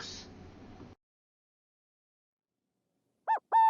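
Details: A Burrowing Owl wintering in a culvert near a home in Texas gives two short, nasal, mid-pitched little barks in quick succession, after a burst of rough noise and a long silence.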